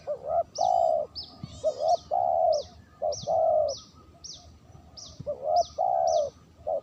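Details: Spotted dove coos used for luring, a clean recording: a series of short-then-long hooting notes repeated about every second, with thin high chirps from another small bird throughout.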